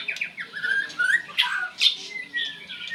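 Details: Binla bird giving loud squawky chirps mixed with clear upslurred whistles, several notes crowding a three-second burst, recorded close up.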